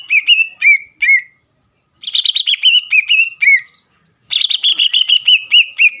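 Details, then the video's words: Greater green leafbird singing energetically as a contest lure for rival birds; a few slurred whistles, a silent gap, then dense bursts of rich chirping phrases sliding downward. "CUCAK IJO GACOR MEMBUAT CUCAK IJO LAWAN PANAS EMOSI DAN STABIL AGAR NGOTOT"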